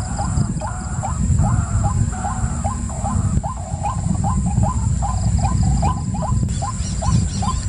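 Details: Overlapping series of short rising notes from a white-breasted waterhen, dense at first and then steady, heard over heavy low-frequency noise with a faint high whine.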